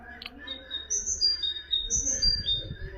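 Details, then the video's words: Common nightingale song, played for tutoring goldfinches and canaries: clear, high, pure whistled notes in short descending runs, each phrase sliding lower, repeated twice, over faint low background murmur. "تغريد طائر الحداد لتعليم طيور الحسون والكناري بدون أخطاء"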